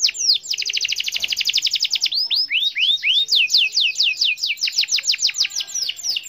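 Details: Canary singing a long roll to challenge a rival: a very fast buzzy trill for two seconds, then a few slow rising notes, then a run of quick downswept whistles.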